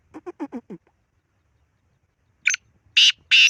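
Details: A run of five low, stuttered downward notes from a Black francolin, then silence, then one grating burst followed by two long, loud rasping notes.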